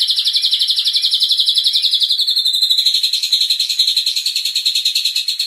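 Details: Rapid, steady, buzzy trill from a white-rumped shama lure used to excite contest birds into showing their repertoire, pulses repeated several times a second and holding an even high pitch throughout.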